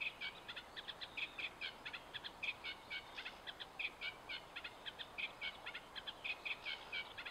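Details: Eurasian reed warbler at Hammer Pond on Knepp Wildland, heard more distantly: steady, rhythmic series of short chirping and churring notes, roughly three per second, over a low hiss of background noise.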